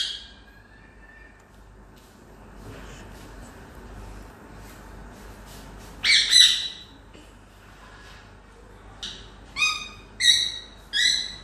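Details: Talking rose-ringed parakeet, the green-neck parrot, mostly quiet against low background hiss, then a harsh double squawk around the middle and a burst of four sharp, rasping squawks near the end.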